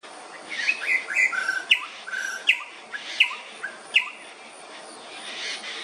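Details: Greater racket-tailed drongo; sharp, clear whistled notes and short metallic chips given irregularly, roughly one every half second to a second, over a steady hissing background.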